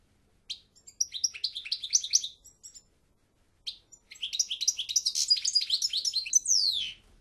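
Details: European goldfinch singing two bright twittering phrases of rapid high chirps and trills, a short opening burst then a longer run after a brief pause, the second ending in a descending buzzy slur; a quiet background.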